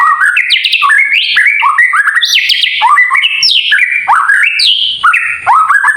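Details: White-rumped shama kretekan song, used to provoke shamas into singing: dense, nonstop stream of rising whistles, upward sweeps and stuttering chatter, loud and rapid throughout.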